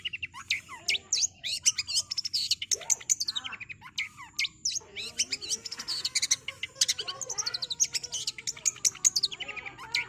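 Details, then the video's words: Long-tailed shrike singing fast and continuously in a training recording for songbirds: dense, varied high chirps, sweeps and trills packed closely together, over a faint low hum. "Cendet Super Speed, kuat kaya werkudoro oreo masteran burung kicau gacor dor rool speed"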